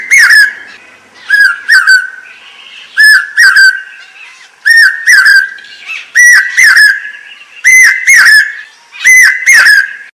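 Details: A Common Hawk Cuckoo, whose calling heralds the arrival of the monsoon rains, gives loud, shrill whistled notes in quick pairs. Each phrase repeats about every one and a half seconds, pitch edging upward.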